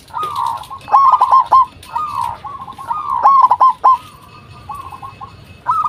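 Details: Local zebra dove, recorded to lure responses from other zebra doves. Falling coos lead into loud stuttering rolled notes, and this pattern repeats in phrases about a second apart. A faint steady tone sounds in the background.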